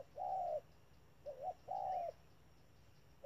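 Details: Spotted dove kept as a trap decoy, calling with a long level coo, then a short dipping note and another sustained coo, quiet pause after, faint steady hum beneath.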